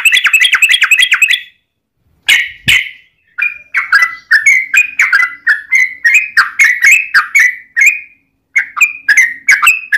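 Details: Yellow-vented bulbul song used as a lure to make other bulbuls sing: a quick run of bubbly chirps, then a pause and a long series of short, slurred, warbling notes, each falling then lifting, with brief gaps between.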